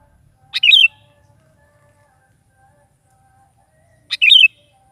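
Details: Sooty-headed bulbul singing energetically in the morning to draw an answer from a caged bulbul: two brief, rolling warbled phrases roughly three and a half seconds apart, with near silence between.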